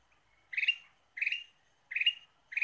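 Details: Four chattering bursts of a ruby-throated bulbul, played as a lure, each a quick tumble of bright notes spaced under a second apart.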